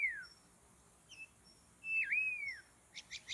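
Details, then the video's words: White-rumped shama in forest, recorded during bird trapping: brief downslurred whistle, a loud drawn-out whistled note bending down, then three quick clicking notes. "Mikat Burung Murai Batu dihutan"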